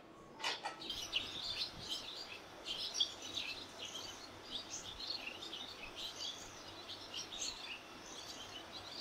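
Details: Barn swallows on a street lined with nests, seven of which have already fledged, while parents and other fledglings gather around a nest at fledging time. Busy, overlapping high twittering chirps run throughout, with a steady faint hum underneath.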